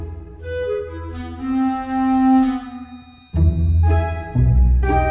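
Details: Bowed string music with deep cello and bass notes swelling and changing pitch, with no animal sound.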